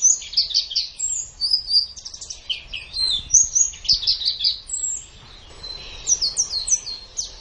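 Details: White-eye (pleci mata putih) song used as a master training recording for caged birds, best played in the morning or evening: a fast, high twittering of short sweeping chirps in bursts, with a brief quieter gap near five seconds.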